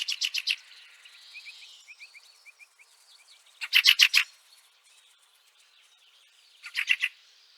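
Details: Fieldfare calling in snow, Liepāja, Latvia, March 2023: harsh chack-chack-chack triplets come at roughly three-second intervals, with a short run of soft, spaced ticking notes between the first two groups.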